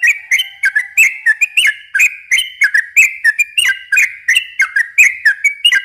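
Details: Yellow-vented bulbul in energetic, long chattering song, used to stimulate young birds. Overlapping bubbly, warbled phrases follow in quick succession with no pause.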